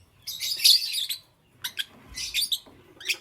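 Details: Lovebirds, green, yellow and lutino birds, chirping in the morning: a loud, dense burst of harsh high twittering, a pause, then quick pairs of shrill chirps and another scratchy flurry.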